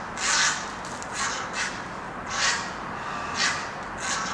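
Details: A flock of egrets living in Himalayan cedar trees near apartments in Dongin-dong, Daegu, South Korea, in 2016; harsh, broad croaking calls come in separate bursts about once a second over steady low city rumble.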